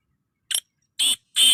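Black Francolin giving three harsh, grating, high-pitched notes: one short clipped note, then two longer rasping ones about half a second apart. No other sounds.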